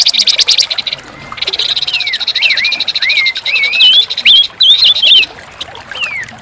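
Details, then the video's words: Orange-headed thrush song: a run of quick, twisting whistled notes, some rising and some falling, over a constant buzzing, hissing background. "TERAPI BURUNG PANCAWARNA MACET BUNYI"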